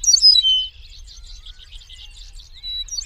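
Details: An eastern meadowlark (Sturnella magna) sings in the wild: clear, high, slurred whistles open the phrase, a soft twittering chatter follows, and another whistled note returns at the end.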